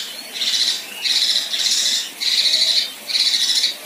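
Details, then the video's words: A female Kinoi sings 'tembakan kasar': five coarse, buzzy, grating bursts, each about half a second long, following closely one after another. "Besetan Dan Tembakan Kasar Kinoi Betina"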